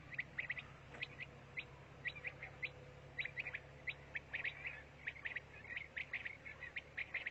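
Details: Pakistani quail giving a steady stream of crisp, high, clicking chirps in pairs and triplets, several birds calling over one another against a low steady hum.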